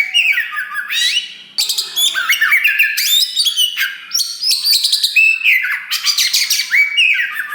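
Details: Black wulung Oriental magpie-robin kept in a cage, singing loudly to stir rival birds; fast mixed phrases of harsh chattering, falling and rising slurred whistles and brief clear notes, running almost without pause.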